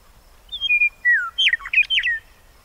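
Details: Western meadowlark song opening with slurred whistles that slide downward, then breaking into a rapid jumble of liquid, bubbling notes that rise and fall before ending on a short downslurred whistle.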